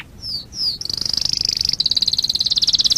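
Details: Canary of a distinctive breed singing: two sliding whistled notes, then a fast even high trill of rapid repeated notes, about three or four each second-tenth.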